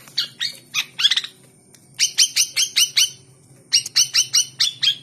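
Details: Hand-trained captive long-tailed shrike, kept as a fighter bird; sharp, harsh chipping notes delivered in rapid runs of four to six, about four notes a second, separated by short pauses, with a faint low hum behind.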